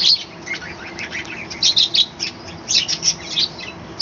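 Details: Captive budgerigar colony kept on a home balcony, morning chattering: dense bursts of high, scratchy chirps and warbled twitters overlapping in quick clusters, with brief lulls between groups.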